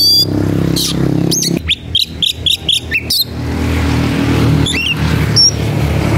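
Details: Oriental magpie-robin, excited and looking for a rival, delivers a quick string of short clear whistled notes, about six in a row, then a few sharp upslurred whistles, with a loud low engine-like rumble throughout.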